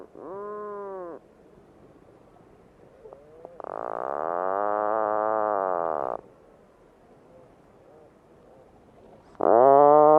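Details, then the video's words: Puffin calling in three separate moaning phrases with quiet gaps between them: a short nasal groan, a longer buzzing drawl of about two and a half seconds, then a loud rising note at the end. "Real Puffin Sounds"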